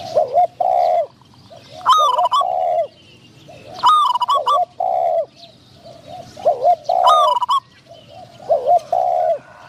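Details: Spotted dove kept as a trapping decoy, cooing to lure wild doves; a wild bird with a middling voice is anticipated. Soft, bending coo notes repeat in steady groups, punctuated by loud rattling clicks.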